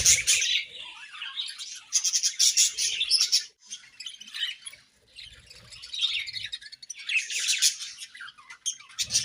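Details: Breeding-season budgerigars keep up an almost continuous high, scratchy chatter of chirps and warbles, broken by short pauses, the bursts swelling and fading over nine seconds.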